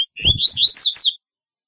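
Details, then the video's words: Double-collared seedeater (Sporophila caerulescens) call song, meant for calling birds in: a quick run of high, sweet, slurred whistles, rising and falling over about one second, with a faint low thump at the start. "Corbatita Canto Para LLamar 2 - Double-collared Seedeater Call Song"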